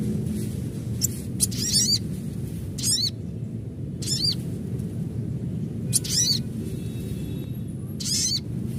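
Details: Adult Ruby-cheeked Sunbird calling, a natural sound used to stir other sunbirds into chattering. It gives short, high, twittering bursts of rapid chips, each about half a second long, repeated roughly every second over a steady low hum.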